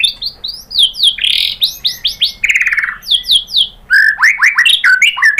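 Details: White-rumped shama lure song meant to make other shamas reply and sing their full material: loud, rich run of sweeping whistles and harsh rasping notes, ending in rapid down-slurred phrases.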